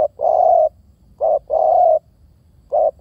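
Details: Spotted dove repeating soft, throaty coos in quick succession, alternating short and longer notes, about four coos within three seconds over a low steady hum.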